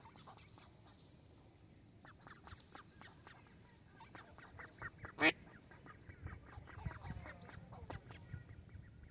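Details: Young mallard ducks at a pond in Vantaa, Finland, make a steady stream of short, soft peeping calls, with one sharp loud click midway and low rumbling background noise.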